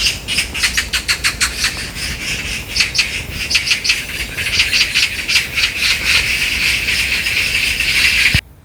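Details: Harsh, grating rattle of magpies fighting over territory, 14 August 2024, on a breezy hill during a barefoot walk: fast runs of dry, buzzy notes, unbroken and dense, ending abruptly.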